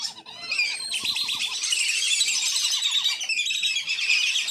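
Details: Captive wandering whistling ducks at a farm, used as a decoy sound for wild ducks: steady high-pitched flock chatter with a clear run of rapid, rising whistled notes early on, continuing as a busy, unbroken twitter.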